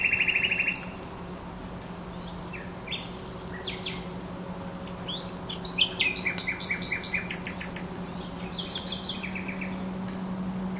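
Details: Thrush nightingale singing beside the Żerań Canal, 24 April 2022, with a loud opening burst, then long runs of rapid knocking clicks and whistles, over a steady low hum.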